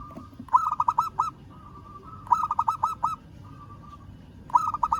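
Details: Local zebra dove calling a rival with repeated phrases of five quick, rolling coos. Phrases come roughly every two seconds, with a faint steady tone humming between them.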